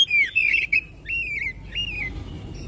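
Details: Oriental magpie-robin singing to prompt others of its kind: strong, slurred whistles mixed with harsh rasps, then two clear, drawn-out whistled phrases that waver slightly in pitch.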